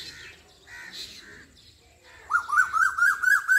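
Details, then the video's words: Asian koel in Pakistan giving a rapid series of bright, bouncing whistled notes that climb slightly and repeat about twice a second, after a stretch of softer, scratchy bird chatter. "Koyal ki awaz asian koel bird singing cuckoo bird singing song"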